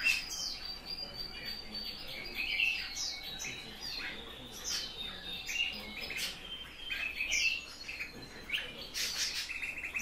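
Eurasian bullfinch giving soft, piping whistled calls among a steady chatter of high, quick chirps from other small birds.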